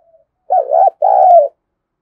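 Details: Mellow two-part spotted dove coo, played to prompt males to coo: a wavering, uneven first syllable, then a longer steady note that drops in pitch at its close, in silence.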